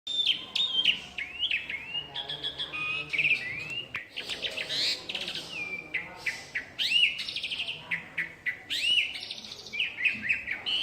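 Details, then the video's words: Asian pied myna, wild bird in a tree, singing a busy, varied full song: whistled upslurs and downslurs, buzzy rattles and sharp chips packed together with barely a pause. "Suara Asli JALAK SUREN Gacor FULL ISIAN Di Atas Pohon"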